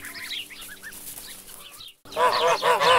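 Geese give loud, nasal, harmonic honks in two quick bursts, after a quieter stretch of high twittering from small birds.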